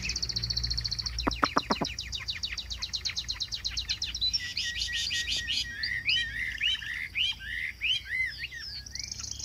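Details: Chinese hwamei kept as a cage bird, opening with a fast run of sharp repeated notes that gives way to looping whistled phrases and bright slurred notes, sung continuously over faint background hum.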